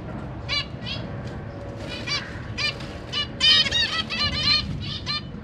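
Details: Caged zebra finches, parents feeding newly hatched chicks and juveniles, 12 September 2023; scattered nasal call notes, quieter at first, then a louder busy cluster of overlapping calls, against low background noise.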